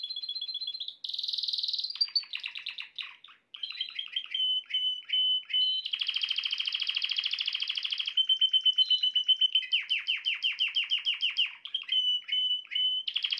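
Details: Male canary song said to make a female canary quickly adopt the mating posture: varied phrases of rapid clicking trills, buzzy rolls and long steady whistled notes, each section changing every second or two, loud and clear without background sounds.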